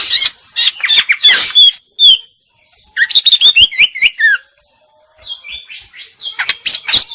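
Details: Female greater green leafbird singing actively, with bursts of scratchy high chirps and brief whistles, short silent gaps, then a run of quick downward-sliding whistled notes.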